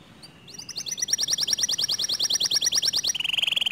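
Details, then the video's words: Canary song said to provoke other canaries into singing: a long rapid trill of bright repeated notes, about four per second rising into a fast buzzy roll near the end. "Suara Kicauan Kenari ini Sering Kali Memancing Emosi Kenari Lain Agar ikut GACOR DOR"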